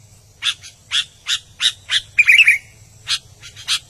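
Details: Albino sooty-headed bulbul singing: five evenly spaced rasping chips, then a short rich whistled warble, followed by more harsh chips, over a low hum.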